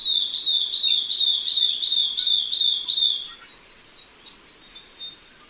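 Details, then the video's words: A Vietnamese red-listed long-tailed broadbill calling: a fast, high-pitched, slightly wavering trill of quick repeated notes lasting about three seconds, fading into quieter scattered chirps over soft background hiss. "Tiếng chim mỏ rộng xanh"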